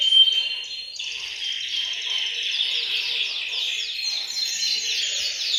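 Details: Several canaries sing together in a bird room to stimulate male singing. A thick wash of high, rapidly repeated trill notes rolls on steadily, opening with a short sharp whistle.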